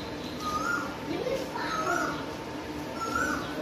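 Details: An Asian koel calls near a home around midday, after morning rain gave way to light sun: short, rising whistled notes about every second and a half, heard behind a man talking.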